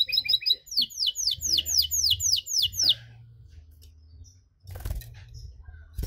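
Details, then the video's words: Long-duration cengkok song of a canary aimed at provoking other canaries: quick high chip trill, then about ten rising swept notes at a steady pace, followed by quiet with faint clicks. "KENARI CENGKOK DURASI PANJANG!! AUTO MANCING EMOSI KENARI LAIN"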